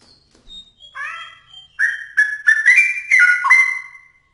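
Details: Straw-headed bulbul song used for training songbirds: a rich burst of loud, liquid whistled notes stepping up and down in pitch, starting softly then running fast for about two seconds.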